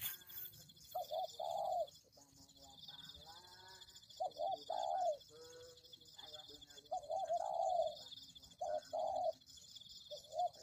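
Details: Repeated spotted dove cooing for a bird lure: clipped hoots and drawn-out mellow coos spread through the clip, with background chatter and a steady high-pitched hum.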